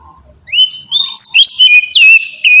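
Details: Oriental magpie-robin song used to draw a response from other birds: clear rising whistles lead into a loud, fast stream of slurred, warbling notes and sharp upswept phrases.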